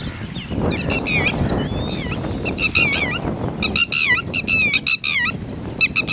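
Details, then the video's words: Red-wattled lapwing, titeri, calling around its chicks: insistent piercing notes in fast repeated clusters, some sliding downward, separated by brief gaps, with low background rumble. "Red Wattled Bird Singing And Red Wattled Chicks (ٹٹیری )"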